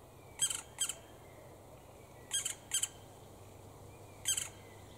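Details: Black woodpeckers with their young near Grycksbo, Dalarna, on 5 June 2019: harsh, noisy squawks given mostly in pairs, five bursts spaced about two seconds apart over a low steady background hum.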